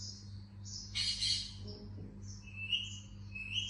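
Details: Indian ringneck parakeet chirping: thin, high whistled notes, short and spaced, with a louder, rougher burst near the first second, over a steady low electrical hum.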